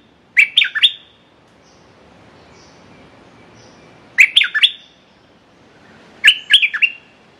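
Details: Red-whiskered bulbul used as a decoy to tempt a territorial wild bird, repeating a cheerful three-note whistled phrase three times at intervals of roughly two to four seconds, faint chirps between.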